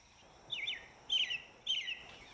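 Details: American robin, the first bird to join the dawn chorus, sings three short, clear caroling phrases that rise and fall about half a second apart over a soft hiss, in a mixed recreation of a recorded dawn chorus.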